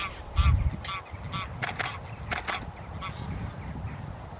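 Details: Tundra bean goose recorded at Wimpole Hall, Cambridgeshire, 17 December 2020: four clipped, reedy honks in the first seconds, followed by sharp broadband rustling or handling noises and low rumble.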